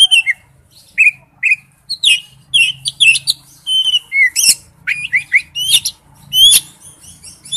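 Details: Male oriental magpie-robin calling to a female: a varied run of short whistled notes, some sliding up or down, others sharp and high, given in quick bursts with brief gaps.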